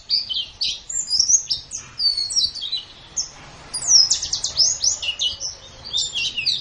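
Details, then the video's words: White-eye known locally as pleci, recorded in gacor form to teach caged songbirds: bright, high chirps in quick clusters, a brief lull near three seconds, then a rapid run of descending notes. "Suara Burung Pleci | Gacor"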